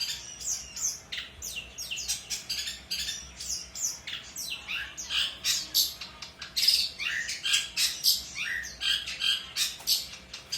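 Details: Long-tailed shrike singing energetically, kept as a songbird and recorded for training other birds to sing: dense run of harsh squawks, chirps and mimicked phrases in rapid bursts, with a faint steady hum underneath.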